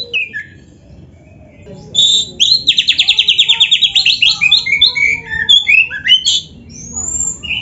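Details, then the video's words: Kacer song used for songbird training, lively and full of varied phrases: a few whistles, then a rapid train of repeated buzzy notes, followed by mixed chattering and whistled notes. "MASTERAN KACER GACOR FULL ISIAN !! - Suara Burung Kacer yang cocok untuk Latihan kicau"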